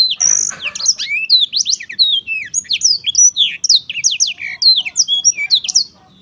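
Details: Black-throated canary singing a fast, continuous warble of high, sweeping whistled notes and rapid trills, many notes rising and falling steeply, for about six seconds before stopping.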